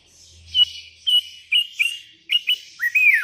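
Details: Sooty-headed bulbul calling out to rivals while wild bulbuls reply; a quick run of short bright chirps and whistled notes ending in a longer rising-falling whistle, with a brief low hum early on.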